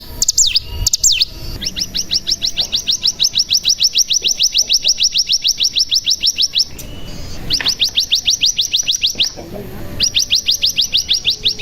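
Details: Mountain tailorbird (cigun) lure song meant to make other cigun sing and trill. A long run of rapid, evenly repeated high notes forms a steady trill, broken by short pauses and a few sharp downward-sweeping notes.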